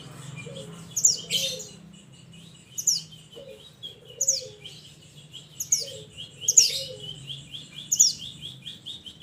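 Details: Mountain mantenan bird calling its companions with repeated sharp, high downslurred whistles roughly every one and a half seconds, mixed with softer twittering and a faint low hum.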